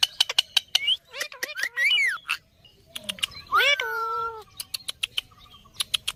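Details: A talking parrot gives drawn-out, voice-like phrases among quick clicks and sharp chirps, including one long, gliding, speech-like syllable.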